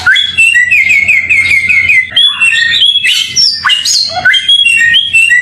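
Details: Samyong bird pouring out a fast warbling trill, then varied squeaky, high-pitched whistles and scratchy notes, over a faint low hum.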